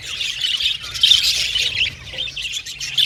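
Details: Budgerigars chattering: overlapping high chirps and a few louder squawk-like notes around the middle, with busy warbling that fades slightly before picking up again at the end.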